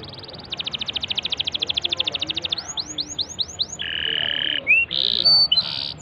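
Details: Canary song played to get a silent canary singing: a brief trill, a long fast even rattle, five looping rising whistles, then a low steady buzzy tone and a few bright swept notes.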